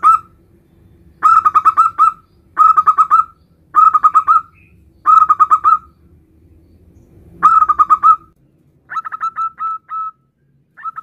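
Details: Local male zebra dove calling its mate: bursts of rapid, rolling cooing notes, each burst lasting about a second, repeated five times with pauses, then a softer series of separate coos at the end.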